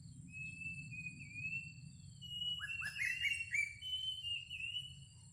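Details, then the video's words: Greater racket-tailed drongo decoy song, with a thin level whistle first, then stepped rising whistled notes and a drawn-out wavering whistle, against a constant low hum and high electronic tones. "Tiếng chim chèo bẻo đuôi cờ mồi"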